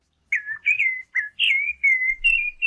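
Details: A thrush, identified as a sabiá in a bird-ID quiz, sings a run of clear, fluty whistled phrases, about six short notes in under three seconds, some dipping then levelling off, with a faint low rumble beneath.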